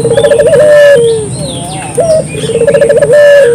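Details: Repeated puter dove phrases for luring wild birds: a quick vibrating roll of coos leading into a long level note that sags at the end, heard twice, with distant high chirps.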